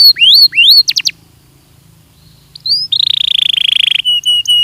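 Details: Belgian canary singing on a training recording: rising whistled slurs and quick sharp notes, a silent gap, then a fast buzzy trill and short steady whistles.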